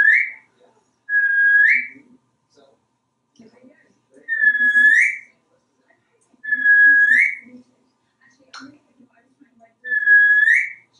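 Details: A pet African grey parrot, male, hatched in 1997, living in a home in Texas, vocalising on the shower in the bathroom: loud rising whistles repeated about every three seconds, with soft chattering syllables in between.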